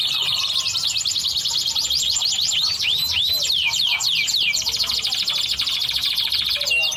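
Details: Yellow canary song in Indonesia, used to prompt another bird to sing: fast sustained trills and rolling high warbles, with a run of rapid looping downslurs in the middle, continuous throughout.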